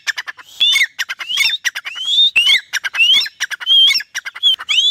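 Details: Trained captive desi partridge under a green tree calling on cue from its owner's whistle: sharp rising whistles alternating with quick clicking notes, somewhat irregular, with a faint hiss in the background.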